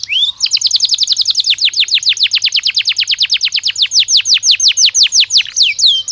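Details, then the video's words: Training stimulus recording of a Belgian canary: a long run of rapid, steady descending whistled sweeps, repeated several times per second, opening and closing with a short rising note. "Som de estímulo que faz o canário belga responder imediatamente ao treino"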